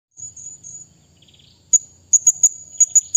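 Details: Blue-crowned hanging parrot calling a rival: a thin, steady high whine, then a run of sharp, very high, piercing chips, one then about six more in quick succession near the end, over a faint low rumble.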